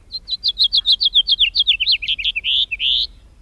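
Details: House Finch song, typical of the breeding season: a raspy, jumbled tumble of high chirped notes, about a dozen in three seconds, ending in a longer, sharp buzzy note.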